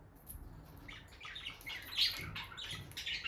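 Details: A pair of bonded peach-faced lovebirds by the nest box. A few soft, high chirps and squeaks build toward a sharper peak, over faint low rustling.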